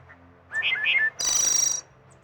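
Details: A Wood Thrush sings in the East Tennessee foothills of the Smoky Mountains: a short phrase of clear, fluted notes, then a high, shimmering trill, all in under two seconds. It arrives in mid April and leaves in late August.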